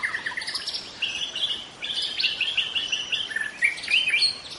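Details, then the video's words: Young wild white-rumped shama in forest singing continuously, a rich stream of whistles, chirps and trilled phrases with little pause, over light background hiss. "Kicau murai muda hutan, mantap"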